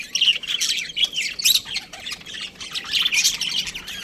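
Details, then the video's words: Budgerigar breeding pair giving rapid, high warbling chatter mixed with short squawks and whistled squeaks, continuous and busy throughout. "Amazing budgie chirping sounds | budgies breeding pair"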